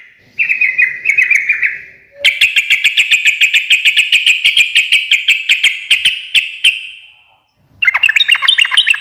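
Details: Short warbled phrase, then a long even stream of sharp chirps repeated about every fifth of a second. A jumbled chattering burst closes the run. Sooty-headed bulbul singing in 'ngekek garuda' style.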